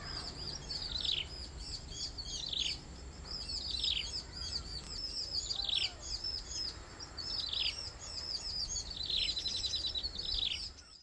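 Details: Three hungry bar-winged prinia chicks, being fed by a parent, give high, buzzy, clustered begging notes in short bursts every one to two seconds, with faint background hiss.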